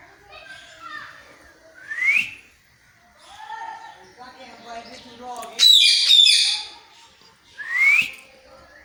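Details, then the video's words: Talking parrot imitating a cat's meow: rising whistled slurs sweeping upward near two and eight seconds, between lower squawky chatter and talk-like phrases, with a bright harsh burst in the middle. "Parrot talking in cat voice"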